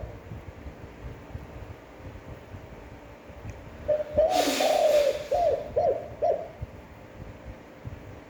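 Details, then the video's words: Spotted dove cooing, a standard voice used to train and excite other doves: a short series of low, mellow coos, the first drawn out and the rest shorter and clipped, with a brief burst of hiss noise. "Tiếng chim cu gáy chuẩn (kích bổi, hơi dài, giọng hấp dẫn, luyện bổi mỗi ngày)"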